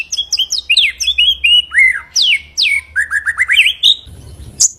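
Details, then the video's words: Master recording of white-rumped shama song for teaching other birds: clear, varied whistled phrases with quick downslurred and upslurred notes, a short rapid trill of descending chips, ending with a sharp high note. "Masteran murai batu ful tembakan kicau prestasi jernih mudah di tiru"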